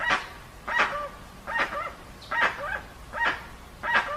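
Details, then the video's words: Dusky-legged guan, original unaltered recording: a steady run of six raspy, goose-like honks about 0.7 seconds apart, with nasal wavering tails after several notes. "Som limpo do canto🎵 do Jacuguaçu"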